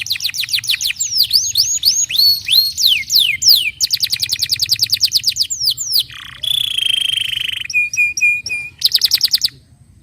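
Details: Canary singing to prompt other canaries: rapid downward-swept notes in quick trains, dense rolling trills, a short low dip, then a long steady buzzy tone and a final fast trill, with low background hum.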